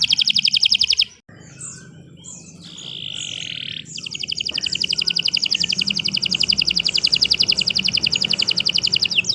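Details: Canary song, long and vigorous: a fast, even trill of bright high pulses repeated several times a second, broken by a short pause and a steady whistled note before the rapid trill resumes and carries on.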